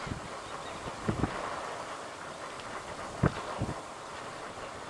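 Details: Outdoor wind noise with low rumbling and a few brief knocks or rustles, no animal voice heard.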